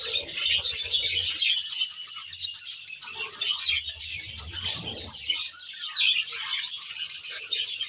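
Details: Budgerigars in an aviary, kept as a flock: dense, continuous high chirping and warbling chatter from many birds at once, with a low steady hum underneath and brief flutters of wings.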